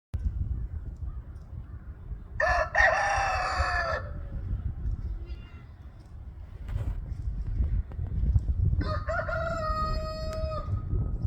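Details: Roosters in a crowing competition: two separate crows, each a harsh, harmonic-rich call of about one and a half seconds, falling slightly at the end, with a man talking and low background noise.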